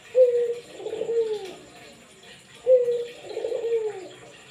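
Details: Barbary dove in full voice, kept to get mute doves calling too: two phrases, each a clean sustained note then a purring, descending coo, separated by a quiet gap.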